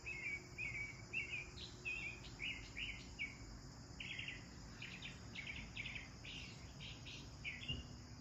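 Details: Sparrows chirping while bathing in a garden: a run of short, bright chirps from several birds, rough and repeated in quick bursts, over a steady high insect-like hum and low background rumble.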